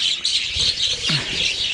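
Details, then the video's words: Captive budgerigar breeding colony, an unbroken mass of overlapping high chirping and squeaky warbles from many birds, with one short low falling note partway through. "বদ্রি পাখির কলনির আপডেট কি। বদ্রি পাখি পালন"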